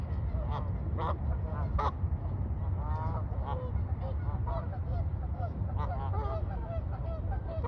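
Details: A flock of Canada geese relaxing on the water on a fine day honks loudly and steadily, with many overlapping nasal, harmonic honks in quick succession over a constant low rumble of water or wind.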